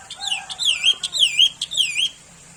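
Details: Sooty-headed bulbul delivering a short, rich phrase of three or four fluty downslurred notes, each swooping and tailing off, given in quick succession over two seconds.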